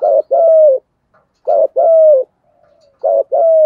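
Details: Decoy spotted dove in the 'giọng thổ' voice style, cooing to lure. Three loud two-part coos about a second and a half apart: a short wavering note, then a longer mellow coo that slides gently down. Quiet background.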